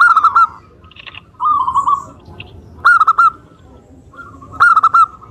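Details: Local Indonesian zebra dove singing in a lively style, used as a lure to make other doves answer: phrases of rapid, rolling coos repeated about every one and a half seconds, with a lower hum underneath.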